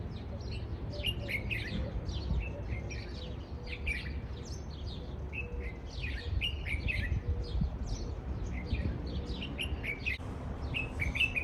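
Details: Red-whiskered bulbul (Pycnonotus jocosus), an invasive exotic species, recorded in spring in the parks and gardens of Campanar, Valencia: bright, chirpy whistled phrases repeated every second or so, with other birds chattering over a low rumble of distant traffic.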